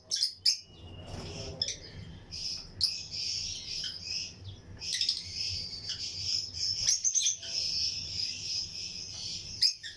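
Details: A breeding colony of Lutino lovebirds in a flight aviary with other birds: a nearly continuous stream of high, thin chirps and twitters, with brief sharp peaks and a low background hum.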